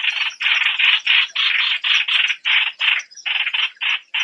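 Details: Streak-eared bulbul calling: a fast series of harsh, buzzy, broadband notes, about three a second with brief gaps, loud and close, with no other sounds heard.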